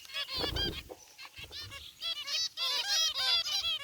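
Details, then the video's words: Several zebra finches, gray and white, chirping together in their aviary cage: busy overlapping nasal trumpeting calls, rapid and continuous toward the end, with a brief low thud early on. "Cute Zebra Finches in Aviary | Relaxing Bird Chirping Sounds"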